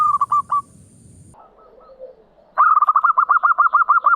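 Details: Local zebra dove giving its opening song phrases, meant to prompt silent doves to sing: a few stuttered coos, a quiet pause, then a fast run of about fourteen clipped cooing notes. A low rumble underlies the start.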